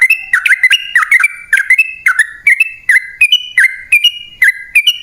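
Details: Wild-bird lure of a sooty-headed bulbul in rapid, extended song. Quick whistled notes with hard onsets flow almost without a break, dropping into low dips and then rising to brighter, level tones.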